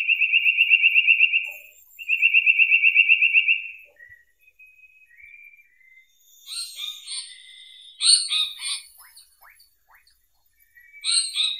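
Indian paradise flycatcher: two even, fast trills on one steady mid-high pitch, each about a second and a half. Scratchy chirps and sharp high notes follow.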